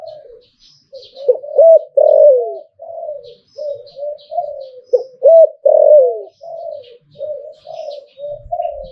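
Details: Hlio-tan style singing of a Thai zebra dove: rolling, looping coos swell into loud falling phrases about every four seconds, joined by softer murmured coos. Faint high chirps are heard throughout.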